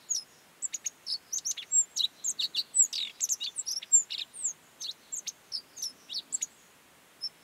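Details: Godlewski's bunting singing in the Mongolian Gobi: a quick run of thin, high, chipping notes and short slurred whistles, nearly continuous over several seconds against a quiet background.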